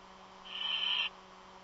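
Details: Strange bird call coming from a nest, stated not to be an eagle: one sustained, steady, high-pitched rasping note lasting about half a second, over a constant low electrical hum.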